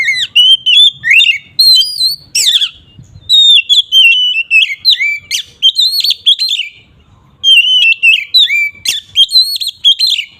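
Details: Loud oriental magpie-robin song used to provoke other birds of its kind, long runs of varied whistled notes, sweeping slides and sharp clicks, sung almost continuously with only a few brief breaks.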